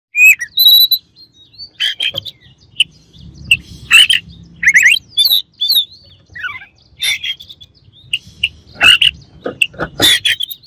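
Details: Oriental magpie-robin singing as a rival bird meant to provoke others, with loud varied phrases: clear high whistles, slurred rising notes and harsh broadband chatters in bursts, separated by short pauses; faint low hum underneath.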